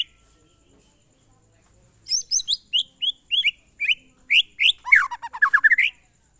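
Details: White-rumped shama singing in the monotonous (glondong) style after two seconds of quiet: spaced whistled notes that quicken into a fast run of descending slurred whistles.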